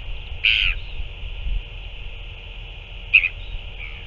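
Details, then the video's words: One rasping call, then a short sharp note about two and a half seconds later, from a northern royal albatross at a chick feeding on 9 February 2024, with low rumble and hiss behind. "Northern royal albatross"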